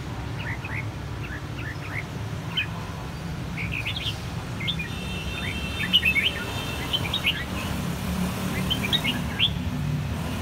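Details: Red-whiskered bulbuls, three young birds of one brood whose cheeks turned red in a single season, give their bell-style song. Quick clear chirped phrases come in clusters over several seconds, with constant low background hum.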